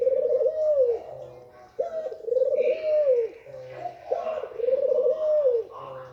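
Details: Steady cooing of a female white Barbary dove used to excite males, each phrase a brief sharp note then a vibrating, arching coo, three phrases about every two seconds.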